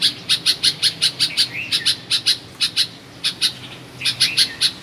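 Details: Bulbul heard at a family home in Karachi, Pakistan, chirping in quick sharp pulses, a low slurred whistle early on, then two pauses between further rapid chirp series.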